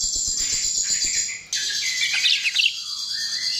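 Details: Short burst of chestnut-tailed starling song for luring: a thin, very high buzzing tone, then a jumble of bright chirps and a low slurred whistle.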